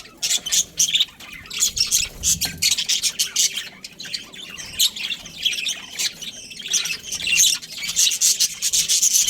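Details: A breeding pair of Australian budgies keeps up busy, scratchy high chatter, quick squawky chirps rising and falling in loudness almost without pause.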